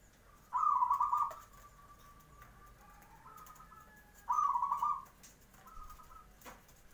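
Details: Zebra dove's morning song, meant to draw answers from other birds. Two loud, rough trilled coo bursts about four seconds apart, each followed by a quieter, softer echoing phrase.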